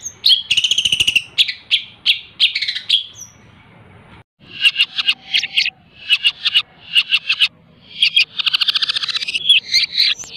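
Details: Pet long-tailed shrike, hand-reared, tutored with mp3 recordings and fed insects twice daily, singing a full dense repertoire; rapid bursts of buzzy chattering, sharp clicks and strident whistled notes, with a brief pause near the middle.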